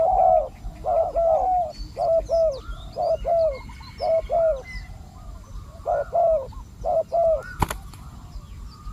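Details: Decoy spotted dove in Thailand set out to attract wild doves, giving a run of short coos in clustered phrases roughly every second, with faint chirps of other small birds and a sharp click near the end.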